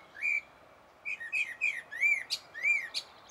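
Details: A common blackbird in Finland on 1 June 2016 sings a quick run of mellow, arched whistles, about seven in three seconds, mixed with thin, high squeaky twitters toward the end.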